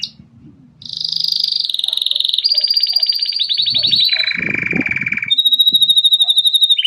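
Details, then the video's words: Grey Belgian canary in full song, running through a long buzzing trill that drops into a lower rapid roll, then a thin high whistle and fast pulsed notes, with a brief low murmur at the start. "Canário belga cinza dobrando o canto"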